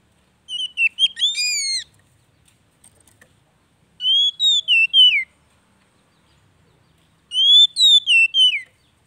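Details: Oriental magpie-robin, a kept bird, song meant to prompt a silent bird to start singing again: three clear whistled phrases, each a run of rising then falling notes, about three seconds apart.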